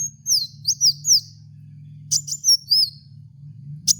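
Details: Cage-training lure recording of a kolibri wulung: high, thin slurred whistles and short chirps in scattered bursts over a steady low hum.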